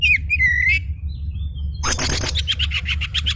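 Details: An excited oriental magpie-robin, meant to provoke a reply from quiet birds, gives a clear, slightly rising whistle, then a loud harsh rasping burst followed by rapid buzzy notes.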